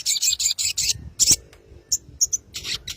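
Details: Konslet-style sogon song, used as a lure so a rival replies: loud rasping buzzy phrases in quick series, a brief pause, then scattered sharp chips and renewed harsh buzzing.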